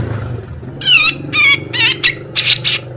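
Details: Singing male Grey-cheeked Bulbul, tutor track for contest birds in beset ngepik style. Several coarse, wavering buzzy notes follow one another quickly, backed by a constant low hum.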